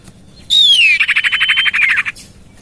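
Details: Common iora lure call used to attract birds, tested in a garden beside a house: a loud descending whistle into a rapid buzzy trill of about twenty pulses, ending in a falling note.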